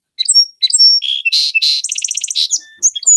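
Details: Song Sparrow song: two or three clear, high whistled introductory notes, then a mix of buzzy notes and a quick trill of about eight rapid notes, ending in sharp chips.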